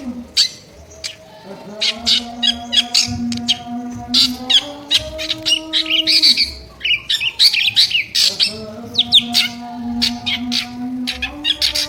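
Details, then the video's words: Long run of loud, rough drongo calls, dense clusters of scratchy chattering bursts broken by short gaps, set against a persistent low tonal hum that wavers slightly in pitch. "Sri Gunting Gacor Isian Suara Kasar"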